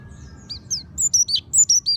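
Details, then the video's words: Lure song of an oriental white-eye, meant to coax a kept bird into singing: faint high twitters at first, then loud, sharp, descending whistled notes about every tenth of a second over a soft low rumble. "Pancingan suara burung pleci monty ampuh agar buka paruh"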